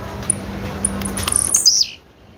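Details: Female blue-black grassquit (tiziu) giving one call: a burst of rapid high ticks running into a thin, sharply falling slurred note, over a low steady hum.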